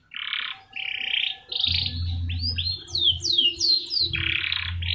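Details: Canary song from a master recording to provoke singing: broad, buzzy, fluctuating high notes and a few falling slurs, quieter than usual, over a steady low hum.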